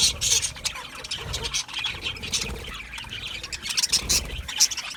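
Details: Budgie parrots in group chatter: rapid, buzzy warbles and squeaky chirps overlapping continuously, with occasional bright high notes standing out.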